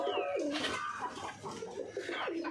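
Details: Morning pigeons approaching their keeper on arrival, uncalled; deep rolling coos dipping and rising in short phrases, a thin descending whistle-like note at the start and close.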